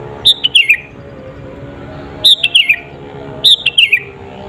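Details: Lure song of a sooty-headed bulbul meant to make rival birds agitated, recorded alone without other birds mixed in: three quick bubbly phrases of clear notes sliding downward, spaced about two seconds apart, over a low steady hum.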